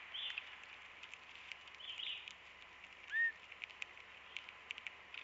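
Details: Female pine grosbeak at a winter backyard feeder among birch and conifers in Manitouwadge, Ontario, 14 December 2016, gives a single clear whistled call note that arches up and falls back, with faint tapping and soft rustling.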